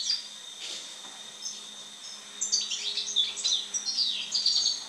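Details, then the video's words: After moulting, a European goldfinch gives quiet scattered notes, then from halfway a lively run of jingling twitters and rising and falling chirps, against a low steady hum. "European Goldfinch (Carduelis Carduelis) after moult song."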